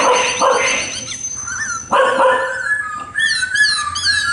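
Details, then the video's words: Harsh broadband chattering bursts from a khướu mun laughingthrush give way to clear whistled slides and a run of quick arched notes, with a thin steady high tone at the start. "tiếng chim khướu mun hót đỉnh cao"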